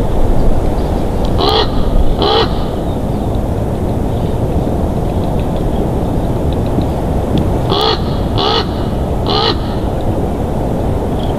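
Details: Bald eagles at their nest in Big Bear Valley on 5 December 2022 around 12:55: thin, high squealing notes, two brief ones then three more about six seconds later, over a constant heavy roar of wind.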